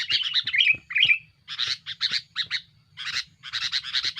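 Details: Aggressive sooty-headed bulbul song for pressuring rivals and luring birds: clustered harsh chatter with two clear whistled notes early on, then grouped raspy bursts separated by short gaps.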